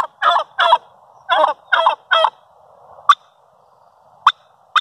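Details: A turkey hen talking in the morning: a run of five rough, clucking yelps, then three single sharp clucks spaced about a second apart.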